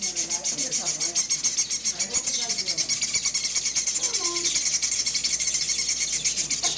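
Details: Fledgling chimney swifts at a city wildlife rescue, clinging to the sides of their box while being fed, keep up a dense, rapid, high-pitched chittering, several birds at once, with people talking quietly over it.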